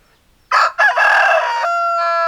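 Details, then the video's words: Rooster crowing: a loud, harsh crow opening with a short clipped note, then a long strained note that ends in a sustained, steady-pitched tone fading out. "Chicken Sounds Noises Hens Clucking Roosters Crowing"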